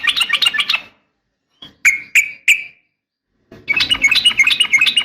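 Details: Female yellow-vented bulbul calling toward a male: a busy chattering burst, silence, three crisp separate notes, then another dense run of excited chatter.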